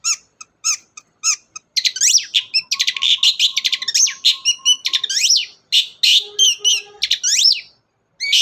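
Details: Long-tailed shrike in full varied 'gacor' song, played as a lure to get a silent shrike singing. Rapid chatter of ticks, trills, whistled upslurs and squeaky phrases runs almost without pause, with a few steady mid-pitched tones underneath.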